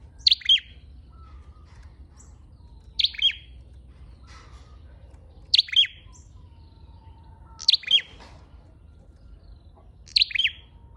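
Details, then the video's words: Flowerpecker with a red head, recorded as a lure call: five crisp, high twittering bursts, each a quick double note, repeated about every two and a half seconds against soft low hum. "Tiếng chim sâu đầu đỏ mồi"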